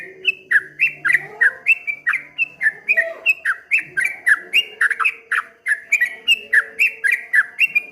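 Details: Streak-eared bulbul delivering fast rolling song, 'ropel ngombak banyu' style: dense series of brief slurred whistles dropping in pitch, nearly four a second, unbroken for the whole stretch, low murmur behind.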